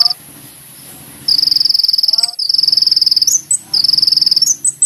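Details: Sunbird (kolibri ninja) singing vigorously, recording used as a lure: long, rapid buzzy trills of very high notes separated by short gaps and chirps, over a faint low background hum.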